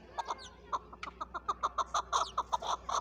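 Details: Calling chukar partridge, Pakistan's national bird: a quick series of clipped, hoarse clucks, roughly three per second, over a steady low hum.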